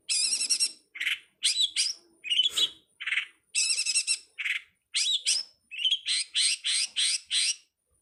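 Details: Long-tailed shrike (cowet, codet, pentet) singing in a 2022 master recording for training songbirds, mixing high rattling chatters, buzzy bursts and rising whistles, ending in a rapid series of six sharp squeaky notes.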